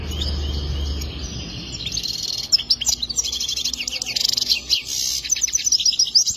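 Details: Goldfinch song beginning after a low droning hum: from about two seconds, fast high twitters, buzzy trills and sharp liquid notes pour out continuously to the end.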